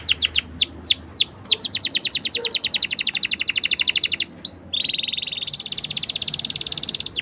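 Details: Canary delivering a long rolled song meant to train young canaries; descending whistled slurs speed into a rapid trill, followed by a steady, dense buzzing roll to the end.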